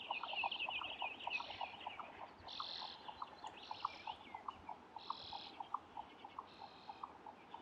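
A Jack Snipe gives a steady, muffled knocking, about four hollow pulses a second like distant galloping, with higher buzzy bursts and faint chatter from other birds.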